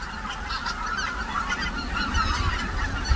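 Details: Greater white-fronted geese wintering on the Cheorwon plain, a winter refuge for migrant birds in the middle of the Korean peninsula; a dense chorus of overlapping nasal honks and yelps from a large flock, with a steady low rumble underneath.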